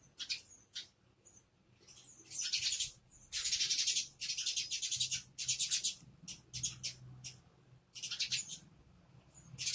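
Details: A group of sparrows searching for food keeps up loud, dense chattering, with rapid overlapping high chirps in long runs broken by short pauses.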